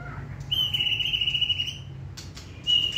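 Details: Hand-tamed white-rumped shama trained for singing contests holds a long, steady, slightly wavering high whistle for over a second, then after a short pause starts another clear high whistle.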